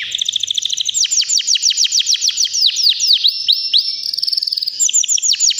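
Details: Nonstop song of a healthy three-year-old white canary: a chattering trill leads into a long run of rapid, evenly spaced descending whistles, then a fine buzzy trill.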